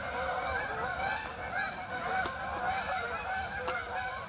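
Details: Many geese gathered in one place keep up a busy, unbroken chorus of nasal honks and chatter, two sharp clicks cutting through the din.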